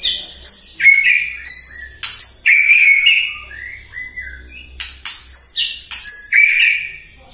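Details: White-rumped shama singing energetically in the morning to provoke other birds: sharp clicking notes alternate with ringing whistled phrases, delivered in quick, punchy bursts.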